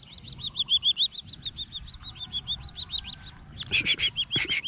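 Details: Collared falconet during hunting training, being taught to kill: rapid series of shrill, high arched notes repeated about three times a second, some louder bursts near the end, faint low background rumble.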